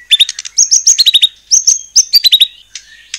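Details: White-rumped shama song for provoking rival shamas to sing: short clipped phrases of high whistles and clicks, with brief pauses between groups of notes.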